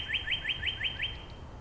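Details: Northern Cardinal in Angrignon Park, one of several neighbouring cardinals singing song variants to each other. Six clear whistled upward slides repeat evenly about every fifth of a second, then stop. Faint background hiss.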